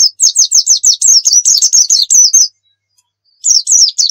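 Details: White-eye of the dakun type from Pacitan in energetic 'gacor nembak' song, meant for tutoring other birds: a long run of fast, piercing zigzag chirps for over two seconds, a pause, then another rapid burst.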